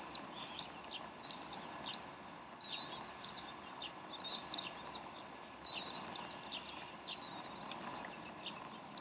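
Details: Bald eagles at a Decorah nest, 12 April 2012, 3:10 pm Central Time, while the mother feeds her young; a series of arched, high squealing notes, each preceded by short chips, repeated about every one and a half seconds over hiss.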